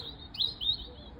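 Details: High-perched robin delivering a brief sweet phrase: a sustained thin whistle broken by two quick upward-swooping slurred notes, clear against a quiet background.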